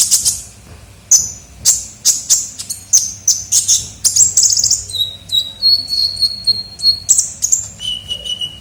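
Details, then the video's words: A kolibri ninja sunbird sings energetically for luring birds. Clipped high chirps come about every half second, then change to level, sustained whistles that step lower toward the end. "pikat suara burung kolibri ninja gacor"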